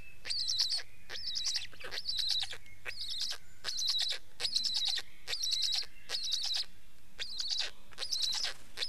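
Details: Black stork: a steady series of short, raspy, squeaky bursts with a bright whistled edge, about one burst a second, each quickly broken into several rapid pulses.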